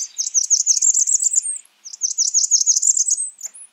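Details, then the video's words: Calls of a Blackburnian warbler: two fast runs of thin, very high notes, each about one and a half seconds, the first ending with a brief rising whistle, against a silent background. "Blackburnian warbler calling."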